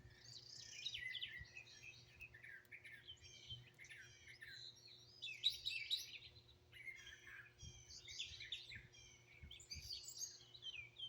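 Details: Chorus of wild birds in Greenville, South Carolina, phone recording: busy high chirping and twittered bursts in clustered runs, some squawky notes, over a faint constant hum.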